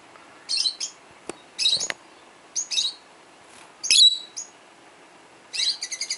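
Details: Twelve-year-old pet peach-faced lovebird calling to other lovebirds indoors; scattered shrill chirps and clicks, then a fast stuttering run of high notes at the end.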